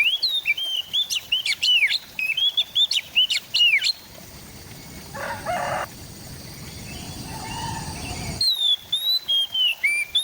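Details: Oriental magpie-robin (kacer) singing in East Java, captured on an Android phone. Several seconds of sharp, varied whistled notes, then a stretch of rustling noise with a brief buzzy burst, before the whistled phrases return.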